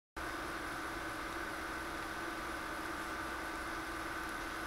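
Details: Steady mechanical hum like an idling engine or appliance, holding constant tones with no bird or other animal voice.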